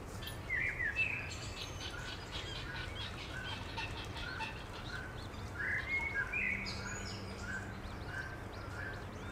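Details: Seven chicks with their Eurasian coot parents in Beverwijk, Netherlands: a string of short, high peeping notes at an uneven pace, a few sharper upslurred whistles, faint higher chirps from other birds, and low rumble throughout.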